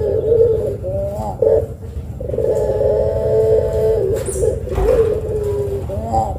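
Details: A turtle dove in full, long-voiced song, used as a lure to get other doves calling, gives long, drawn-out hollow coos, one held over a second, with shorter wavering notes between, over a steady low rumble.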